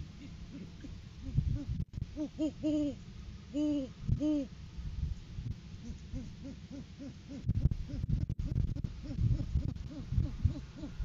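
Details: Great horned owl pair in courting season, the male bringing a food gift to the female; series of arched, fairly high hoots, a louder pair early then a rapid run of softer hoots, over low rumbling and clattering noise.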